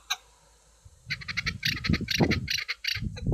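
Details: Chukar partridge, described as a hunting chukar, with a beautiful song: after a second of quiet, a fast series of harsh clucking chuk notes, irregular and bunched, over heavy low rumbling noise.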